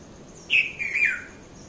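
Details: Early-morning red-vented bulbul, Konda Kurulla in Sri Lanka, recorded at Mount Lavinia around 5:30 a.m.: a loud opening note and a two-part, gently falling warble, the background otherwise calm.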